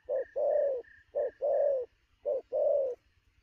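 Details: Freshly trapped spotted dove giving rapid noon coos, three short-then-long pairs, while a higher thin note repeats rhythmically in the background.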